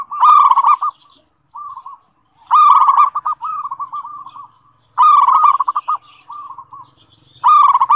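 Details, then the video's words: Zebra dove (perkutut) song used as a lure for training singing: repeated phrases, each a loud rippling burst of clipped coos trailing into softer purring notes. Phrases return roughly every two and a half seconds in quiet surroundings. "Pancingan Suara Perkutut MASTERAN Gacor Buat Harian Ampuh Melatih Bunyi"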